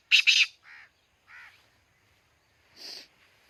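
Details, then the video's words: Black francolin from Khushab: two loud harsh grating notes in quick succession, then softer, lower rounded calls and one brief buzzy note. "kala teeter ki awaz"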